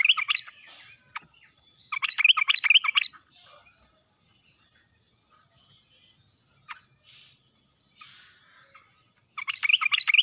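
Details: Sooty-headed bulbul lure song with a wild, forest-like voice, played to make reluctant birds answer: three short bursts of rapid, bubbly chattering whistles separated by long quiet gaps with faint distant calls.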